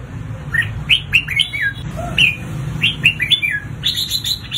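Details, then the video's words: Red-whiskered bulbul singing hard in a competitive bout for training, lively whistled phrases of three to five bright notes with downward slurs, repeated about every second, over a low steady hum. "Tiếng Chào Mào Hót Đấu Kích Bổi Căng Lửa, Luyện Chào Mào Sổ giọng Hót Ché"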